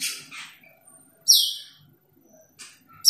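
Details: Against near silence, an Asian glossy starling calling a rival gives a loud high whistle that slides sharply downward, with brief raspy notes before and after.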